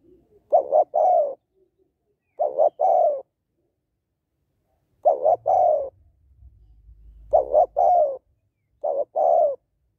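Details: Spotted dove hen cooing to excite males, five phrases of a short stuttered double note then a drawn-out descending coo, spaced about two seconds apart, with a faint low rumble near the middle.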